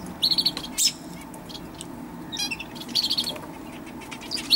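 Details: Common chaffinch recorded 20 October 2012: brief high trilled phrases spaced a few seconds apart, with one sharp higher note and a low background hum.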